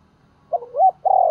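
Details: Decoy spotted dove calling to draw out other doves: a brief fragment of two short rising notes followed by a sustained, gently falling coo.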